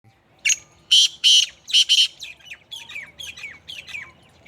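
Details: Black francolin (kala teetar) calling in Sindh, Pakistan: a short sharp note, then loud harsh grating bursts in a quick group, followed by softer, lower chattering notes that slur downward, in a quiet setting.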